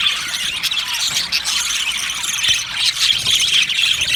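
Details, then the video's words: Many budgerigars in an aviary chirping, a steady dense babble of squeaky and buzzy notes, with short clear whistled peeps repeating toward the end. "Budgies chirping sounds"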